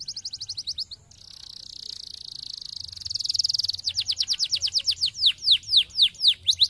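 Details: Canary song used to stimulate lazy canaries to sing: rapid trills of repeated high notes, a sustained buzzy rolling tour, then loud descending swept notes repeated about twice a second.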